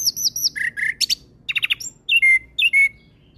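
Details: Orange-headed thrush in full varied song, used as a lure to draw out an untrained bird: rapid sequences of high slurred whistles, repeated chirps and sharp trills, each phrase different, on a quiet background.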